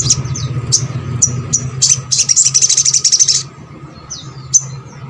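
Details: Crescent-chested babbler song, played so other birds of its kind join in: sharp high chips about four per second, merging into a rapid twittering burst, then a few falling whistles, with a low hum throughout.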